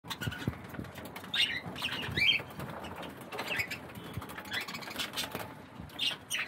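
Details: Several budgerigars jostling over the water while bathing give short, rising chirps scattered through the recording, mixed with splashing and fluttering wings.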